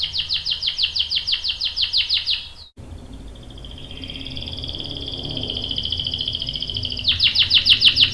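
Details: Canary song used as a lure to make others sing: a rapid trill of repeated chirps, a brief cut, a long steady whistled note, then the fast rolling trill returns.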